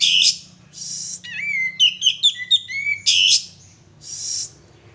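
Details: Male sooty-headed bulbul singing as a lure: short hissy high bursts frame a fast sequence of clear whistled, curling notes in the middle, with a soft steady hum underneath.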